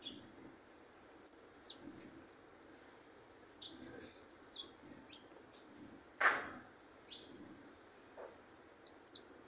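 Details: Young goldfinch practising its song: high, sharp twittering notes and short tinkling phrases in quick succession, with a brief harsher buzzy note near six seconds and faint low background hum.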